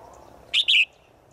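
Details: A single call from a female bird summoning a male in the forest: a quick, high double chirp, a short first note then a longer second note sliding slightly downward, with a low murmur behind.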